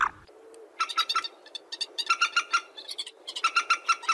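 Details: Common moorhen call played to lure birds for hunting: evenly repeated short clucking notes in two runs over a steady background hiss.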